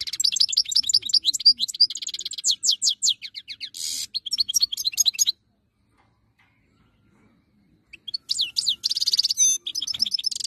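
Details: European goldfinch song, recorded in 2022 by an Algerian bird breeder: rapid twittering phrases of high, quick notes mixed with buzzy bursts, a silent gap of almost three seconds, then the fast tinkling song resumes.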